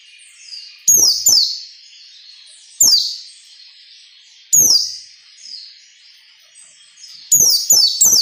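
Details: Ngalas nembak song of a white-eye, used to train captive birds: rapid high warbling runs alternating with loud, sharp downslurred shots, some doubled or tripled, every one to two seconds.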